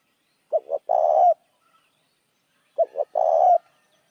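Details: Spotted dove used as a lure for other doves, giving two cooing phrases: a pair of short, low notes, then a drawn-out, slightly buzzy coo, the pattern repeating after a pause of about two seconds.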